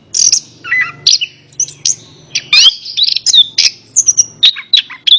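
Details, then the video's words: Orange-headed thrush song as therapy for a bird that won't sing: jumbled high whistles and buzzy notes, a lower warble early on, then quick rising slurs and sharp ticks. "Terapi Burung Anis Kembang | Atasi Burung Anis Kembang Malas Bunyi Ikut Nyaut"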